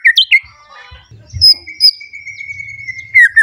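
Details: White-rumped shama, agitated and seeking a rival, gives a few sharp downslurred whistles then a long, thin, steady whistled note held for over a second before closing with falling slurs; soft low rumbling underneath.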